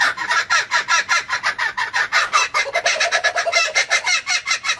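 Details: Kookaburras laughing in a dense, raucous cackle of rapid repeated notes that speeds up toward the end, loud and continuous, with no other sounds.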